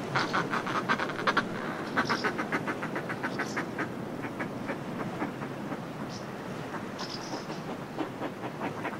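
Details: Northern fulmars in displaying groups on cliff ledges give bursts of fast, throaty cackling that fade and return, with brief high chirps of house martins and sea wash behind.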